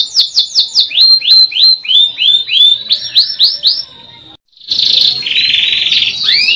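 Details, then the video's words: Canary with quick high chips, then a series of rising whistled notes repeated several per second, a short silent gap, and a buzzy rolling trill. "MASTERAN KENARI GACOR | CANARY SINGING"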